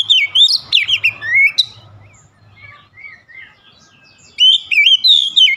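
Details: Short burst of loud, rapid Oriental magpie-robin whistles, followed by softer scattered notes and low thumps, then a fresh phrase of smooth, wavering whistles.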